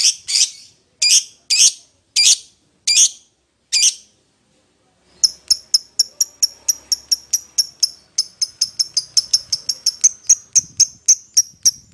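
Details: Lovebird calling to its companion, used as a lure call for a rival: a set of six sharp, high chirps spaced under a second apart, a pause, then a faster run of thin, clipped high chips.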